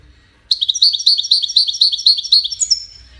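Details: Widaniya European goldfinch in a five-bird song contest; rapid, evenly paced twittering notes repeated about four times a second, ending with a rising buzzy flourish.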